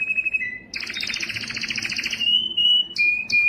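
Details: Canary song to rouse males: pure whistled notes, then a dense buzzy trill for about a second and a half, followed by steady whistles and short high bursts.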